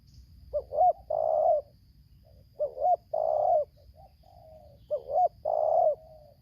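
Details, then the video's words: Wild spotted dove in Lampung, Indonesia, singing the tarik akar selang nguku style during decoy trapping: three repeated phrases about every two seconds, a short double coo, a long croon, then a soft trailing coo. "BL Idaman suara tarik akar selang nguku"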